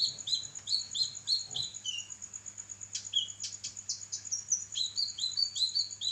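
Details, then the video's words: Training recording of a kinoi for songbirds: quick rows of upslurred chirps, a brief pause with sharp ticks, then more rising chirps at a steady, rapid pace over a faint constant tone. "burung masteran kinoi gacor"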